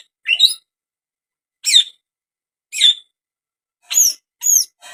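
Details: Greater green leafbird uttering sharp, high, downslurred chirps spaced roughly a second apart, six notes in total, each clean and bright.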